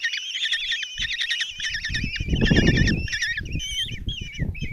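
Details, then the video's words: Common kestrel chicks, five of them, being fed breakfast by their mother in a nest box in Tiszalök, Hungary, on 26 June 2024; overlapping wavering, trilled squeals repeat rapidly, over low thumping and rustling in the box. "Common Kestrels | Mom bring breakfast and start feeding five chicks"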